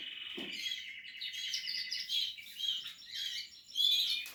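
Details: Portuguese harlequin canary singing while nest building, a continuous high warbled song with rapid trills and twittering phrases, ending in a louder burst.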